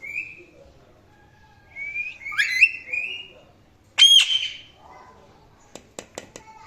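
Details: Pet Indian ringneck parrot giving short level whistled calls, a tangled squawk, one loud sharp shriek, then a few faint clicks.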